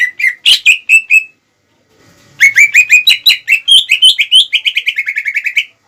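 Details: Provoking song of a greater green leafbird for rival birds. A few clear whistled phrases, a pause, then a long, accelerating string of repeated bright notes settling onto one steady pitch.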